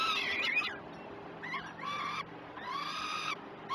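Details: Peregrine falcons at breakfast on the Great Spirit Bluff nest cam, morning of 21 June 2018; a sharp chattering burst followed by two rasping, harmonic wails with a quiet gap between.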